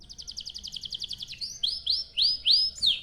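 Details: Canary song used to lure other canaries to sing: a quick steady trill of high notes gives way to loud, slurred rising whistles repeated about every third of a second.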